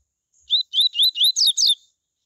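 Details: A coleiro gives its tui tui song, played to encourage other coleiros to sing: a short run of six bright whistled notes, steady rising slurs giving way to faster descending buzzy ones at the end, no other sounds.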